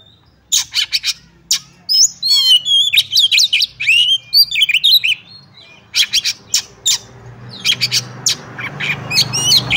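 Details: Oriental magpie-robin fighting song, ngobra with full bursts, used to test a rival magpie-robin's nerve: sharp clicks open into a fast run of whistled, trilled and warbled phrases, ending in dense scratchy bursts over faint low hum.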